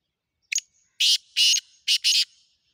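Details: Black francolin call: a brief sharp double click, then a series of four harsh, rasping high bursts, the last two close together, with silence around them.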